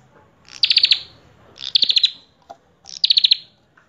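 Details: Common tailorbird known as prenjak kepala merah, gacor full isian: three bursts of rapid, sharp high pulses about a second apart, with a faint click between them.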